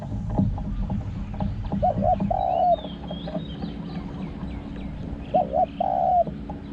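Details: Decoy spotted dove calling in forest, small-voiced with a booming 'hong' coo. Two phrases of paired short notes and a long coo, separated by about three seconds of rustling, thumps and faint chirping.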